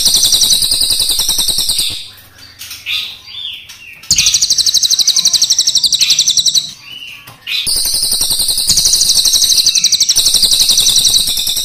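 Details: Crested jay, black and brown birds, delivering long rolling rattles: extended fast metallic pulse trains broken by brief pauses with softer chirps, rattling resuming strongly twice.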